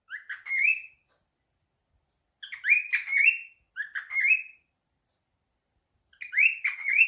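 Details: Pet cockatiel calling as if answering a phone call: bursts of rising, slightly harsh chirped calls, several run together, separated by silent pauses of one to two seconds in a quiet room.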